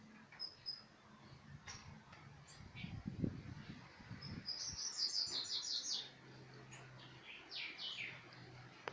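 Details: A hybrid of an Aurora canary and a yellow cardinal, recorded in February 2019, sings high, fast trilled phrases and a few short rising whistles over low rumbling background noise.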